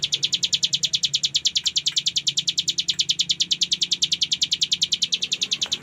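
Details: Hill prinia (cigun) singing energetically in the full 'ngebren' style: a fast, steady run of sharp, high buzzy notes, about three per second, continuing without a break throughout.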